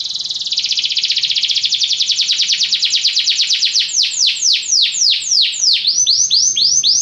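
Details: Belgian canary song opening with a rapid, tight high trill that gradually slows and broadens into distinct loud downward-swooping notes, ending in a run of paced slurred whistles, with a faint low hum behind.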